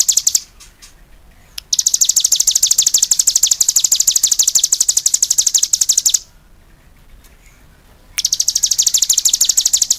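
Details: Cigun in lively song, delivering long high-pitched rattling trills of rapid, evenly spaced chips, the first lasting over four seconds, then a two-second silence before it resumes.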